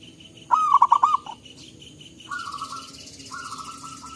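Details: Local zebra dove calling naturally in forest, recorded to lure birds: a fast stuttering run of soft coos, followed by long, steady, drawn-out tones from another calling bird.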